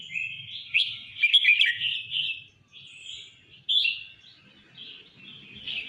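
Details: Red-whiskered bulbul singing all out: a fast, jumbled stream of chirpy warbled notes in the first half, then a pause and shorter bright phrases, with faint low rumbling in the background.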